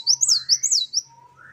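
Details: Short fragment of great tit song in the wucit-wucit style: a few high, looping whistled notes, with a faint low steady hum underneath.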